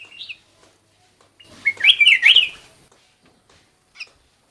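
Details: Black-crested bulbul song as a bird-calling lure. Faint chirps come first, then one loud, rollicking phrase of rapid see-sawing whistles, and a last short chirp.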